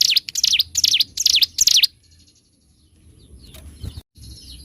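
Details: Bar-winged prinia in loud 'gacor', 'ngebren' style master song for training birds: a quick run of sharp, high V-shaped chirps repeated about twice a second, then falling quiet with faint hiss and a low rumble.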